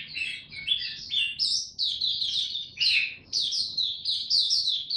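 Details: Kept Oriental white-eye singing buka tiong style: a fast, unbroken chain of high chirps and sweet trills, rising and falling, delivered in quick bursts with brief breaks.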